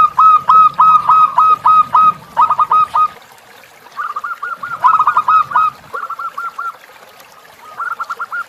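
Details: Zebra dove tutor song for training captive birds, with a river backdrop: loud, clipped coos delivered in rapid rhythmic runs of six to eight notes, then softer rolling series, with low rushing sound underneath.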